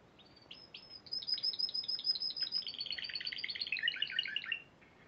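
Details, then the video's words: Spanish Timbrado canary, a champion at the Piala Raja singing competition in March 2014, delivering a continuous high song of rapid metallic trills and chirps, the later rolling notes dropping slightly lower and growing louder before stopping abruptly. "Kenari Spanish Timbrado Juara Piala Raja Maret 2014"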